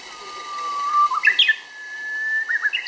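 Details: Japanese bush warbler singing in spring, having only just begun its season's song, filmed with an SLT-A55V camera. A long, low, steady whistle is followed by a quick rising flourish of sharp, higher notes, over a constant background hum.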